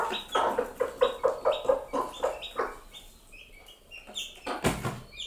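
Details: Two mother hens sitting with their chicks call on seeing food: a quick run of low, even clucks, about two per second, fading out midway, then thin high peeping from the chicks and a sharp thump.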